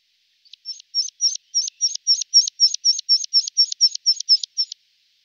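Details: Tree pipit song: a steady series of about sixteen identical sharp, high chirping notes, each sliding up then dropping, delivered at roughly four per second with a clean, quiet background.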